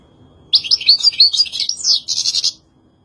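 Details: European goldfinch delivering a two-second twittering phrase of bright, tumbling high notes, ending in a rapid buzzy trill-like series.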